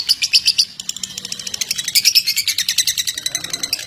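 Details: Pet lovebird stimulation song: a few sharp, bright chirps at first, then a rapid run of shrill pulsed notes, ringing and rasping, with a short pause midway.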